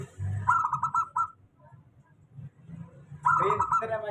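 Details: Local zebra dove song used as a lure for doves that sing little: two bursts of quick, pulsed, trilling coos, with a steady low hum underneath.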